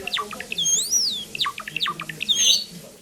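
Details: Pet sakura Java sparrow song: a few quick downward chirps, a long, high whistle that swoops up and down, then more rapid slurred notes ending in a bright, tinkling flourish.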